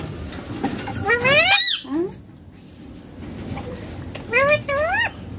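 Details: Talking rose-ringed parakeet playing on a mobile: a rising, strongly harmonic voiced sweep, a short drop, a pause, then two upward-bending squawky syllables near the end, against low indoor background noise.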